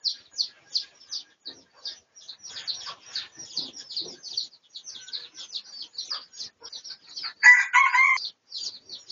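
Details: Red junglefowl of the Pradu colour type, filmed for research on 18 August 2023: a brief harmonic crow near the end, after a long run of quick high chirps from small birds throughout.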